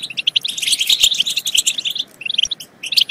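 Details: Sharp tinkling chirps build into a fast twittering burst, pause briefly, then resume as scattered notes: European goldfinch song for prompting goldfinches to sing and mate.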